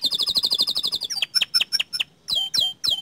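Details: Lively canary song: a fast, even trill of high piping notes, then a handful of separate sharp downslurred chips and a few ringing, falling whistles.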